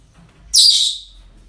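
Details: A single harsh, grating squawk from a parrot at a breeding centre, bursting in abruptly and fading over about half a second, against quiet low hum.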